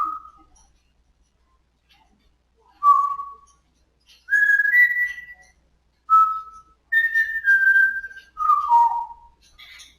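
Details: Pet African grey parrot, recorded indoors on the day it first said "Good Morning": a series of clear whistles, some level, some gently rising or falling, repeated at irregular intervals of one to two seconds.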